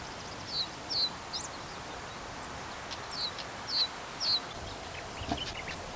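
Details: Siberian stonechat calling at the Wakka Primeval Flower Garden in Tokoro, Kitami, Japan: a handful of short, high, thin chirps at irregular intervals, fairly distant, over soft steady outdoor background noise.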